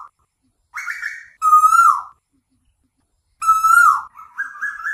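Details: An Asian koel calling at night, giving loud, clear whistled notes every couple of seconds, some slurring down and a final series stepping upward in pitch.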